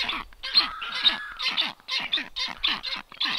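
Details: Two unringed, unfamiliar Black Storks visit a nest on 9 July 2023, landing on the nest balcony and camera, giving harsh, wheezy hissing bursts about two per second, rough and breathy with a few thin whistled tones mixed in.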